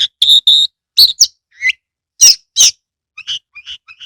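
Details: Caged Oriental magpie-robin in a lure recording for prompting other birds, giving a few harsh squawks, a pure sustained whistle and short rising whistled notes, separated by brief pauses.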